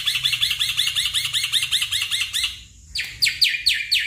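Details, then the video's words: Black-winged myna song meant to prompt a stressed caged bird to sing: a steady rapid train of scratchy chirps, about four per second, then a short gap and several loud harsh downslurred notes. "Pancingan Jalak Putih Stres Malas Bunyi"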